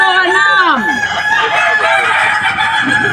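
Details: Contest-entry Kukuak Balenggek rooster at the 2025 Boko class final in Sawahlunto, West Sumatra, a breed prized for a stepped crow of at least five levels. A rich crow swoops downward early, then holds a long level drawn-out tone amid background chatter.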